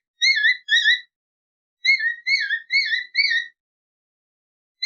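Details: Alexandrine parakeet (Raw parrot), a talking bird, giving clear, wavering whistled chirps in quick pairs and runs of four. There are short silent gaps between the groups and no other sounds.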